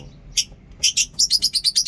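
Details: Lovebirds in a mini zoo on a very cold morning, said to be in a good mood: a few sharp squeaks, then a rapid even run of about eight high, piercing chirps.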